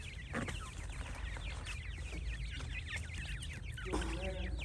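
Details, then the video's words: Francolin chicks calling together, a dense chorus of short, high, downward-slurred peeps overlapping continuously, with a few lower notes near the end and a steady low background rumble. "تیتر کے بچے اور مست آواز"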